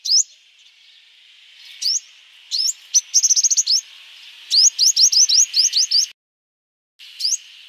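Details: Sunbird song used as a lure: a steady high hiss with bright rising notes, a rapid trill of about eight notes, then another quick series of rising chirps, a brief silence, and a final chirp.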